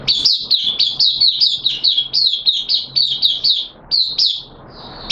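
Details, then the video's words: Hobby oriental white-eye singing in a cage during wet weather, 6 September 2022: a steady, rhythmic series of loud high chirps, about three per second, stopping abruptly near the end before one final note. "Mata Puteh T Rex Buka Sing"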